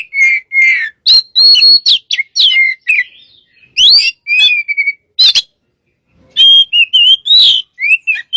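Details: White-rumped shama song used as a lure or master recording: loud varied whistled phrases, some buzzy, sweeping and rising notes, in bursts separated by short pauses.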